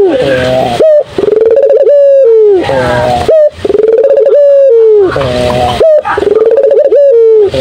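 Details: Turtle dove in full, vigorous song: loud tonal coos near one pitch, each phrase opening with a short rising note, then a long steady tone sliding down at the end, repeated about every two and a half seconds.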